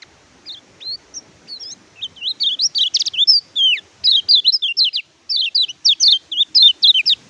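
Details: Oriental white-eye (kecial kuning) singing as a master recording for birds quiet after moulting or capture; sparse high notes building into a rapid, continuous chatter of whistled swoops and trills, about two notes per second.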